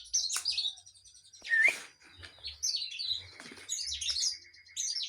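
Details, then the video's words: Kinoi in full, active song: loud, varied, scratchy phrases of high chirps and trills, with a sharp rising whistled slur in the middle and brief pauses between bursts. "Kinoy gacor"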